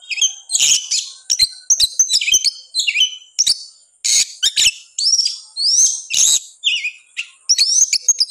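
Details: Kacer, the oriental magpie-robin, in persistent aroused song. Loud phrases of high rising and falling whistles mixed with sharp chips, delivered in bursts about every half second.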